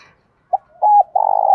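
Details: Spotted dove giving a giọng đồng pha thúc bổi call that is cut short: a soft short note, a level coo, then a long throbbing rough coo that sinks slightly before ending abruptly.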